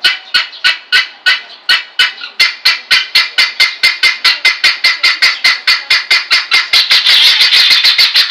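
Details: Helmeted guineafowl in the wild giving harsh, grating calls repeated rapidly, two to three per second.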